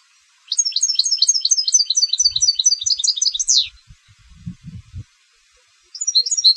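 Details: Contest European goldfinch sings a quick, high, tinkling run of about a dozen paired notes ending in a downward slur, then starts again, with soft low knocks underneath.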